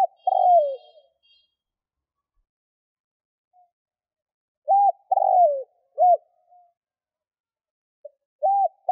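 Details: Captive spotted dove in Vietnam cooing to draw in wild doves: repeated phrases of low, soft coos, a drawn-out falling note between short hooted ones, with long pauses between phrases and a faint high whistle early on.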